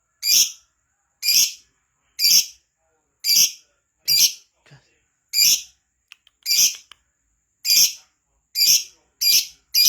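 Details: Lively lovebird, used as a lure recording to get other lovebirds singing, gives a steady series of harsh, shrill chirps roughly once a second, quickening toward the end, with a few faint clicks between.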